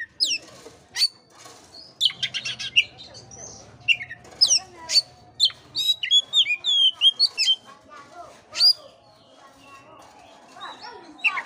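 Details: Varied Oriental magpie-robin song used to spur a sluggish bird to sing, mixing piercing upslurred whistles, buzzy rattling trills and fast chips, with a faint low hum underneath.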